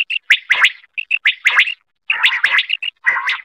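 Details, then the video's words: Quail calling with quick bursts of sharp, chirping notes, clustered and repeated in short runs separated by brief pauses; no other sounds. "Quail sound ll Batair mp3 Awaz ll batair. batair ki awaz ll Quail singing"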